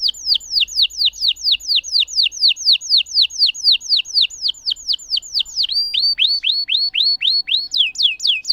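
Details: A canary in strong song, played to stimulate canaries that have stopped singing: a long series of clear, sharply downslurred whistles repeated about four per second, shifting near the end to fuller, flatter notes at a slightly lower pitch.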